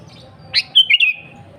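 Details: Sooty-headed bulbul (kutilang) singing gacor, meaning vigorous nonstop song, used as a lure to call rivals: one short bubbly phrase, a sharp upswept note followed by quick liquid whistled notes falling away, over a quiet low hum.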